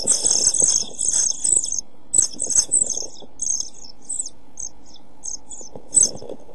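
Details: European pied flycatcher nestlings in a nest box on 27 June 2013, starving in hot weather as the smallest dies, beg with very high hissing chirps, a dense run then shorter bursts about every half second, over low rumbling.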